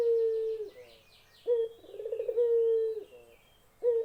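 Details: Low, steady hooting coos from a Barbary dove, long even notes with a short throbbing roll between them, cut off cleanly; busy twittering of small birds runs above at the start.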